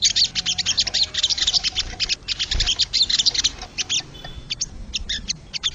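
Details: Crested jay in the wild, a tutor recording for caged birds: long, dense stretch of harsh clicking chatter, then sparser scattered ticks and a short thin whistle near the end.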